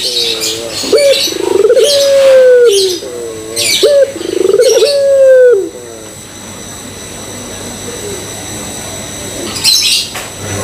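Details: Barbary dove (puter pelung) lure coo, meant to get other doves cooing: repeated rolling coos, each a stuttering pulsed start swelling into a long, even, low tone that drops at the end. Brief harsh rasping bursts are also heard.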